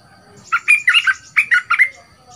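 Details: Two-month caged young bulbul being trained as a decoy, noted for its big voice, gives two short phrases of loud, throaty, warbling notes separated by a brief gap.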